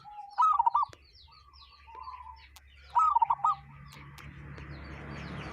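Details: Local wild zebra dove with an unusual call: two loud clusters of fast trilled coos about two and a half seconds apart, soft cooing between them, and a low steady hum and hiss behind.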